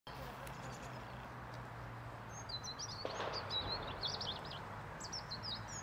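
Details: A European robin in the Ljubljana Botanical Garden on 23 November 2022 gives thin, high, wavering warbled phrases, fairly quiet, over steady low traffic-like rumble and background noise.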